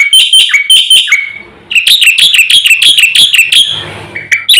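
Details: Javan pied starling, full-repertoire singer said to stir up birds around it: rapid, harsh, chattering phrases with ringing notes, a brief gap, then another fast repeated run ending in a faint low murmur and a final sharp note.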